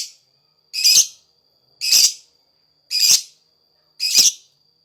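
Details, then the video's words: Lakbet in vigorous song, used to lure other birds: four evenly spaced harsh, hissing bursts roughly once a second, separated by silence except for a faint continuous high tone. "Burung lakbet, gacor buat pancingan suara lakbet"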